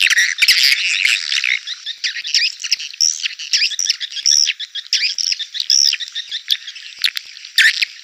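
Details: Swiftlet call played to attract swiftlets to a bird house: a lively, squeaky, twittering chatter with quick rising and falling high notes, almost without a break.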